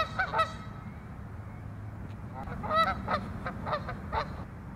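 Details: Territorial squabble among Canada geese at Waveland Lake, Chicago: a quick pair of sharp honks opens, a quieter pause follows, then a series of spaced honks about every half second.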